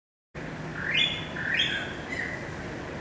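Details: Greater racket-tailed drongo singing, recorded 7 February 2018: rising, slurred whistles sweeping up and then held level, two in quick succession followed by a shorter flat note, over steady background hiss.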